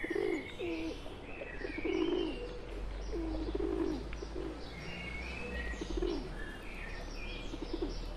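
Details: Low, burbling pigeon coos come in bouts from wild birds with a pet pigeon among them. Scattered high chirps from other birds sound, along with a low rumble.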